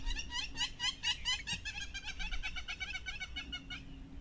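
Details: Hamerkop calling with a fast run of nasal, harmonic notes, about two per second, that slow and fade toward the end; faint low hum underneath.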